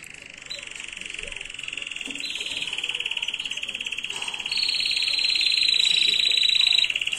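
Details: Canary tutor song for teaching young birds, recorded 2022: a continuous buzzy, rapidly pulsed roll that swells gradually in loudness, overlaid by a clear high whistled tone in two stretches.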